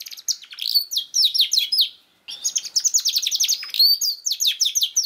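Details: Canary song for prompting a young canary to start singing: two bursts of fast high chirps and trills separated by a short silence, notes tumbling quickly downward.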